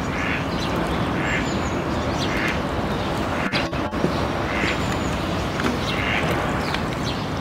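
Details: A mallard (Anas platyrhynchos) gives nasal quacks repeated about once a second over a steady low background rumble, with a few sharp clicks midway.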